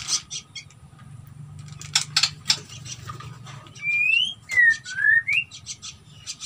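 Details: Nias hill myna carrying nest material outside its cage: scattered clicks and harsh bursts, then loud clear whistles midway, one falling, the next sliding upward, with a low hum beneath.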